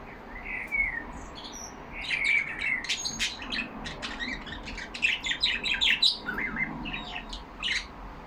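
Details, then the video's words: Caged budgerigars chattering together: a couple of clear whistles open, followed by long rapid streams of ticking chirps and buzzy notes, busiest toward the middle. "Lovely parrots talking among them."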